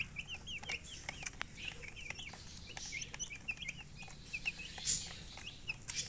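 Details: A flock of baby chicks calls with soft, high, curling peeps, many overlapping in quick succession, over a quiet background with occasional clicks and taps.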